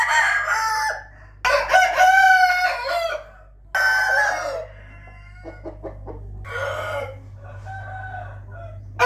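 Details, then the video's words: Morning crowing of roosters, dated 8 April 2021: three strong, harsh, drawn-out crows about a second apart, followed by quieter, farther crows, over a constant electrical-like drone. "nghe tiếng gà gáy buổi sáng ò ó o"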